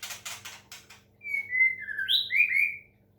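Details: Caged white-rumped shama of Medan, Indonesia, under water-sound therapy meant to make it sing; quick chattering clicks followed by a flowing series of rich whistles that dip, then sweep upward.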